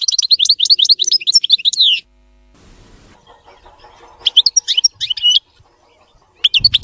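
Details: European goldfinch, known locally as maqnin, singing a clean, error-free song: bright, rapid twittering phrases of high tinkling notes, with sweeping slurs in three bursts separated by short quiet gaps.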